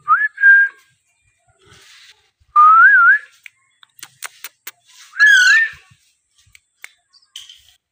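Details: Baby Alexandrine parakeet whistling in loud bursts roughly every two and a half seconds. The notes rise, waver up and down, then level off, and the last is harsher with a rasp. Brief clicks and taps sound between calls.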